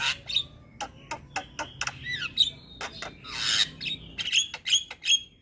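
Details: A young Javan myna mixes short harsh chirps with sliding whistled notes, then a loud grating rasp and several bright high whistles in a lively, varied sequence.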